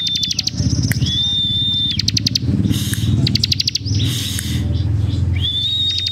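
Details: Bar-winged Prinia singing in gacor style with tight, rapid bursts: a long steady high whistle alternating with fast trains of sharp clicky notes. A constant low rumbling hum runs underneath throughout.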